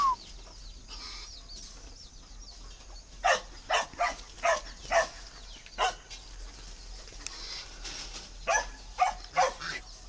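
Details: A tame male Chinese francolin, hand-raised and awaiting a mate, crowing strongly in October in winter, gives loud, harsh, grating notes in two quick runs of four or five. Thin chirps from other small birds sound faintly behind.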